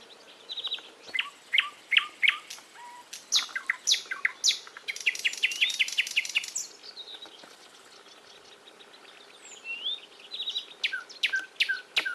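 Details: Songbird chorus of varied chirps and whistles, with a fast ticking run of repeated notes in the middle, a short quiet gap, then more bright, scattered chirps.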